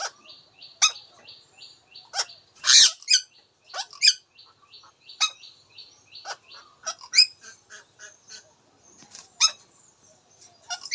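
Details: Indian ringneck parakeet talking amid a steady stream of short, high chirpy notes, with louder squeaky word-like bursts breaking through every second or two.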